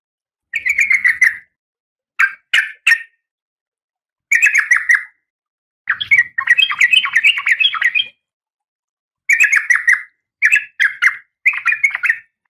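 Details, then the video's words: Oriental magpie-robin, a female in breeding condition calling the male, gives repeated harsh, scratchy chatter bursts of about one second. Between them come short pairs of sharp chips, and one longer, more varied chattering phrase. "Suara Kacer Betina"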